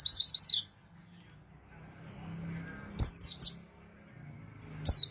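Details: Oriental white-eye song for luring wild birds: three brief separate bursts of high, sharp falling chirps, the first of about five notes, with near-silence between them.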